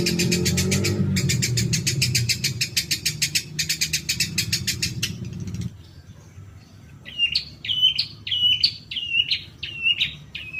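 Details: Long-tailed shrike in a lure recording for prompting caged birds: first a fast rattle of harsh notes over low rumbling noise, then a series of clear, slurred whistles each dropping in pitch, repeated about twice a second.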